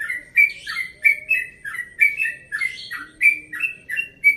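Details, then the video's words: Rapid dawn 'ropel' song of a 1.5-year-old yellow-vented bulbul from Bekasi, relaxed in tone: a quick run of bright, slurred whistles, some with buzzy overtones, given about three per second with a soft background hum. "Trucukan Ropel Pagi Subuh Nada Santai"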